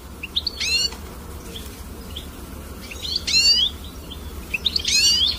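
Hooded siskin song: high, bright twittering bursts with quick slurred notes, about every two seconds, with soft chips between them and a faint low hum.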